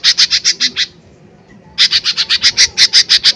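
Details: Lesser green leafbird (cucak ijo mini) in full, loud 'tembakan keras' singing, meant as a lure to provoke other birds: two bursts of harsh, evenly repeated notes, about seven then thirteen, separated by a short pause.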